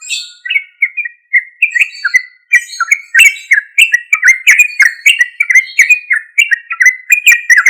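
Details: Sooty-headed bulbul in loud, energetic song meant to draw responses from untrained or silent bulbuls; a continuous stream of short chirpy whistled notes, at first spaced, then packed tightly in quick repeated phrases.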